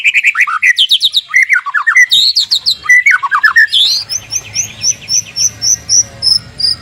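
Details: {'caption': 'Loud white-rumped shama song played to make other shamas answer in the morning: rich cascading phrases dropping in pitch, then a steady string of sharp, high, evenly spaced chips.'}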